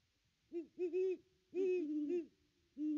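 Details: At the nest tree on Christmas Day 2021, a Great Horned Owl gives deep hoots. A pair of hoots is followed after a pause by a longer run of run-together hoots, then one final hoot. Nothing else is audible.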